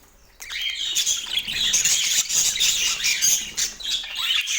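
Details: After a brief quiet start, pet parakeets at morning feeding burst into lively high twittering and squawks, a crowded, warbling stream of short chirps on an autumn day.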